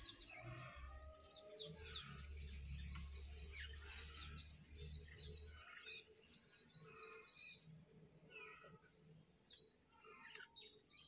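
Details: Pied trillers, one wild and two caged, singing against each other in a duel; dense bursts of high, sharp, twittering notes repeated quickly, fading into scattered chirps, with a low hum throughout.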